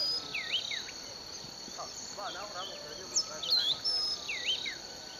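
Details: Bird song from a sugarcane field in Bulechia, Western Kenya, recorded December 2011. Scattered whistled phrases rise and dip in pitch, some looping, set against a continuous shrill insect drone and faint lower chatter.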